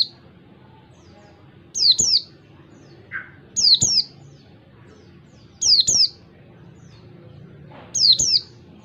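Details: Oriental white-eye in ngalas, the wild-type song style, recorded clear to train other birds: bright, high double chirps, slurred downward, in short bursts about every two seconds, with a faint low hum underneath.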